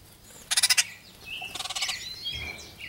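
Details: Baltimore orioles feeding on and fighting over grape jelly: two loud, harsh rattling chatters of rapid pulses, each under half a second, with thin whistled and slurred notes between and after them.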